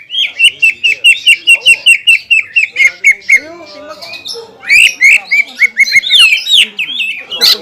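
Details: Fighter greater green leafbird (cucak ijo), champion class, in rich-fill tutor song: a long series of evenly spaced sharp chips, then softer twittering and a burst of loud, jumbled, scratchy whistles.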